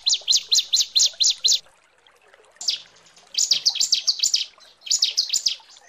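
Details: Female bar-winged prinia calling the male, giving a fast run of six or seven sharp, high, evenly spaced notes, then after a pause further bursts of quick, piercing chattering notes.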